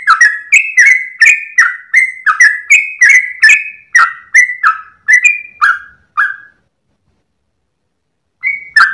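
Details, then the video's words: Dawn song of a sooty-headed bulbul, wagging its tail as it delivers a long rapid song style for tutoring cage birds: a quick run of bright whistled notes stepping up and down, then a pause and one more phrase. "trucukan gacor ropel panjang saat subuh pagi hari"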